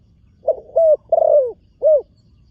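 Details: Spotted dove, a newly trained young bird on its first time at the earthen competition ground, giving a short coo phrase: a brief note, then two longer mellow coos falling in pitch, a pause, and a final rounded coo.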